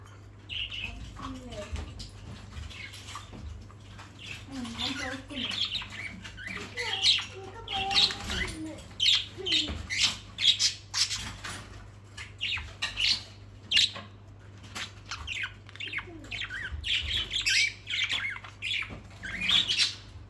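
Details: Pet birds at playtime, including budgies, a sun conure and a lorikeet, chatter in a busy flock of quick, high chirps, warbles and squawks.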